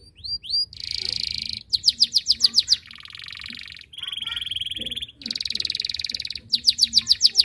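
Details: Canary in full, energetic song meant to call rivals into singing: a fast sequence of varied phrases, buzzy high rolls, rapid repeated rising chirps and steady trills, each lasting about a second before switching.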